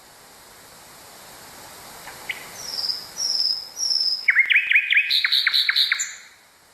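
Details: Common nightingale song for teaching canaries: after quiet hiss, three drawn-out high whistles swell in volume, followed by a fast rattling trill with a higher overlaid series of notes, ending in a short thin note.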